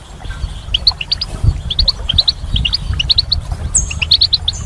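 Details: Goldfinch in spring giving clear, short rising chirps in small clusters of two to four, with a brief high buzzy note near the end and a soft low rumble behind.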